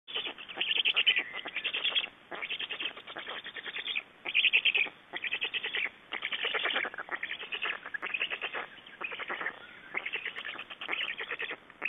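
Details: Black storks at a nest in Estonia on 6 June 2011, during nest exchange and feeding; harsh, rasping pulsed bursts about a second long, repeated in a rapid series with brief gaps between them.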